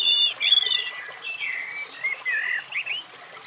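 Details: European robin delivering a rambling sequence of sweet, sliding whistles and warbles, some high and thin, others lower and fuller. Light hiss in the background.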